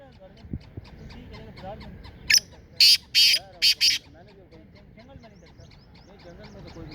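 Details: Black francolin from Sindh, Pakistan, giving one rasping call of five harsh, scratchy notes over under two seconds, the middle notes longest, set against quiet background hiss and faint distant chirps.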